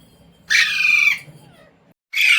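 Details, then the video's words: Pet talking Indian Ringneck parrot that has been taught words including "mummy", "mitthu" and "roti roti"; a single long, harsh screech, a quiet gap, then the start of another loud squawk. "Parrot Talking | मम्मी | मिट्टू | रोटी रोटी | तोते को बोलना सिखाये | Talking Parrot"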